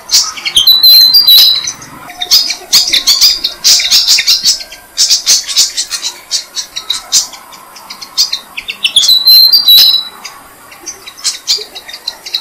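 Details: Malaysian pied fantail parents feeding their six-day-old young in a jam tree: a rapid scatter of dry, ticking high chirps in uneven bursts, with a few clear thin whistles near the start and end.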